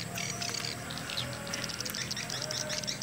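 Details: Swiftlet lure call tested in Gorontalo as swiftlets arrive from all directions: rapid, high, chittering twitters repeated throughout, played over a steady low electrical hum.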